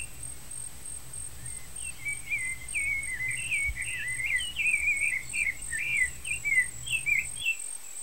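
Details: Young rufous-bellied thrush chicks being fed by their parents: a dense, twittering chain of bent, slurred chirps builds in loudness over several seconds. Low rumbling background noise and a steady high-pitched insect hum are also heard.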